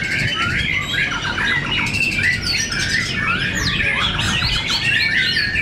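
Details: Fierce murai batu fighting contest at Cibinong: white-rumped shamas pour out loud, fast, varied phrases of sweeping whistles and buzzy chatter, packed closely and overlapping, with ongoing low rumble underneath.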